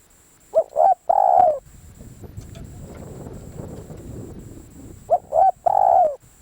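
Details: Spotted dove used for decoy luring, with no wild bird drawn in that day. Two phrases of two quick coos and one longer coo, about four and a half seconds apart. A low rustling, shuffling noise fills the gap.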